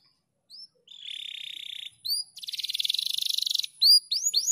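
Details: Fast, dense canary singing meant as a tutor recording for other canaries: a few rising whistled notes, a steady buzzy trill, a quick pulsing rattle, then a burst of sharp upswept chirps.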